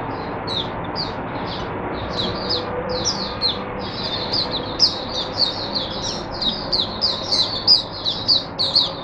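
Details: Oriental white-eye (mata puteh) kept in a cage, singing on 22 January 2022 as a tutor for other white-eyes: a long run of rapid, high, thin twittering notes that grows louder and denser toward the end.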